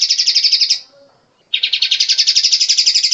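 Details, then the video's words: Kapas tembak bulbul, a long-shooting song used as a training master for kept songbirds: a fast run of sharp repeated chirps, a short pause, then a second, longer run of the same rapid notes. "Kapas tembak panjang"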